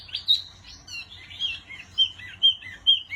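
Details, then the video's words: Short wambi song passage of bright, clear whistled notes mixed with softer warbled slurs, the louder notes spaced roughly half a second apart. "Burung Wambi Mini Gacor Kicau Terbaik"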